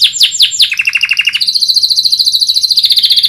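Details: Canary song meant for training other birds to sing: a few sharp downslurred notes, a rapid lower trill, then a long, fast, even high trill to the end.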